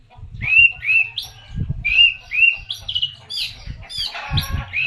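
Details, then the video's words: Oriental magpie-robin lure song made of repeated whistled phrases, each starting with a steady note and then jumping higher. Varied warbling notes follow, over a steady low rumble. "pancingan burung Kacer gacor"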